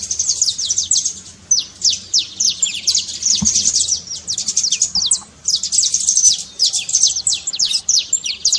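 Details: Saffron finch trincado, used to get a silent bird singing: fast, even bursts of high descending chirps repeated almost continuously, with a faint click partway through.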